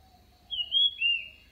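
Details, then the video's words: A recording said to lure birds in fast: one brief orange-headed thrush phrase of two clear whistled notes, the first high and wavering, the second dropping lower, over a soft low hum. "เสียงนกกรงดินหรือกระจาบดินอกลาย เสียงชัดเจน นกเข้าไว"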